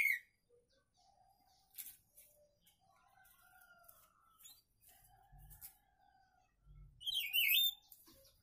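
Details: Singing papa-pimenta belonging to a friend: sparse soft chirps and faint whistled notes, then one loud tumbling high-pitched warble near the end, with a few low thumps in between.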